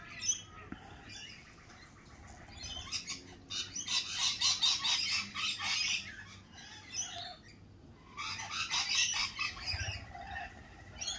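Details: Lorikeets at a cafe in spring, with loud bursts of harsh, rapid screeching squawks bunched between four and six seconds and again around eight to nine seconds, separated by quieter gaps.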